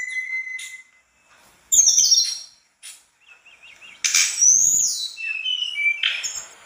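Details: Mangrove blue flycatcher singing in 'gacor' style with 'isian' fill: a steady whistle, a gap, a wavering trilled phrase, then loud sweeping high notes and short whistled slurs.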